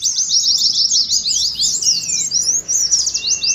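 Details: Oriental white-eye ngeriwik twittering, meant for training and contest simulation: a short, dense burst of high, rapid chirps with a few falling slurs beneath.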